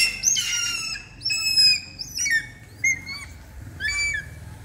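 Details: Hawk-eagle in training, uttering sharp, piercing whistled squeals with downward and upward slurs, spaced about a second apart, over a low background rumble.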